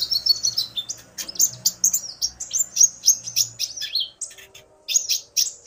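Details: Male common iora aroused by a female's call, pouring out a fast run of high chirps and buzzy whistled notes, about three or four a second, pausing briefly before resuming.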